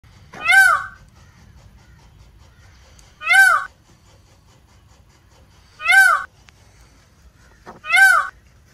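An Indian peafowl gives four loud, nasal, wailing calls, each about half a second long, spaced roughly every two and a half seconds over faint background hum.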